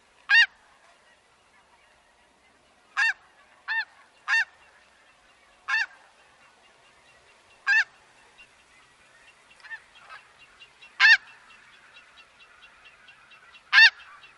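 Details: Snow geese, Wisconsin: sharp, loud nasal honks spaced every one to three seconds, with a faint chatter of more distant geese building behind them in the second half.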